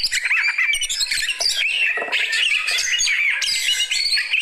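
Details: Reacting to another bird, a fighter Oriental magpie-robin delivers an energetic, unbroken medley of sweet whistled notes mixed with harsh squawks and rattling trills, loud and close.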